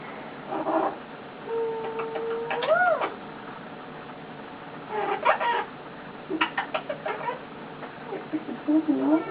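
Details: Pet male eclectus parrot lying on its owner, making lots of cute noises: a held whistle ending in an upward arch, then bursts of rapid dry clicks and a final twisting low note.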